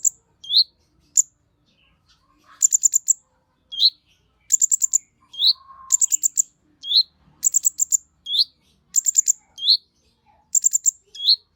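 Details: Sunbird known as Kolibri Ninja, singing to excite others of its kind. Rapid clusters of very high, sharp ticks alternate with rising whistled notes in a steady cycle of about one phrase per second, with a faint low murmur once.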